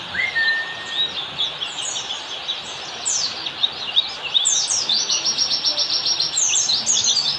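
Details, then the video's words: Oriental white-eye in ngalas-style song, a master recording for training caged birds; a thin flat whistle opens, followed by quick bursts of sharp, high chirps that build into a continuous twittering run. "semastering pleci || masteran ampuh pleci yang denger auto nyaut"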